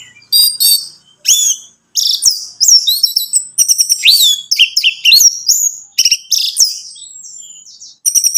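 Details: Orange-headed thrush, a recording played to make a caged bird sing: loud, continuous, varied song of high sweeping whistles, buzzy trills and sharp chips in quick phrases, with only brief gaps.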